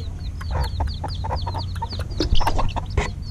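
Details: Many young chickens, hatched just over a week, peep rapidly during evening feeding: short, high, downward-slurred notes packed closely together, with some pecking or tapping sounds.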